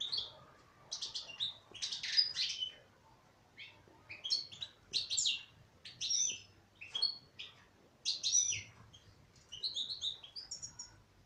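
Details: Female European goldfinch in steady song, stringing rapid bright chirps and buzzy trills into short phrases with brief gaps, lively and continuous throughout.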